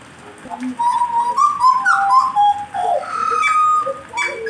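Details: Jagal blorok being warmed up indoors, singing a run of clear whistled phrases with quick rising and falling slurs and brief pauses between them.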